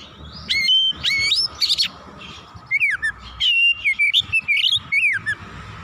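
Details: Worked-up oriental magpie-robin running through its repertoire: ringing upslurred whistles and trills, a short pause, then a dense, rapid medley of sliding whistles and chips.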